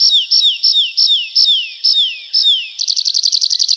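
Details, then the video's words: Singing in a night forest, a nightingale gives seven loud, evenly spaced notes, each sliding downward, then switches to a rapid, stuttering trill. "How beautifully the nightingale sings"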